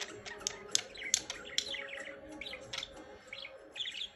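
Budgerigars chattering with quick, scratchy chirps and warbles tumbling over one another.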